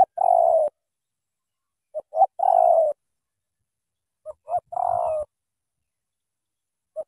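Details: Cà Mau spotted dove cooing in the thổ tơ style. Three phrases, each two quick notes and a drawn-out coo, are spaced about two seconds apart, and one short note closes the sequence. The setting is otherwise quiet.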